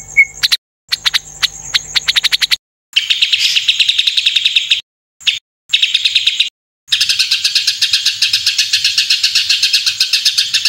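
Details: White-rumped shama (murai batu) song in a training recording full of fill-in phrases and harsh 'tembakan kasar' bursts: high, rapid chattering and repeated notes with a sharp whistle, in segments broken by short silent cuts.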